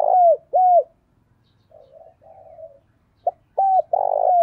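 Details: Spotted dove giving a decoy call meant to attract wild doves: mellow, slightly falling coos, soft low murmuring notes in a pause, then another phrase that opens with a short note and runs into a long sustained coo.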